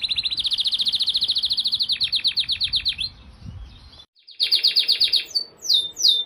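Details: Canary song used as training material for other songbirds: a fast trilled roll of repeated notes for three seconds, slowing into spaced strokes, then after a short break another quick trill and sweeping whistled phrases.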